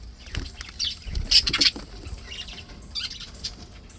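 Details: Happy, healthy budgerigars chattering: short, high, scratchy chirps in scattered bursts, densest in the middle, over soft rustling and fluttering noises.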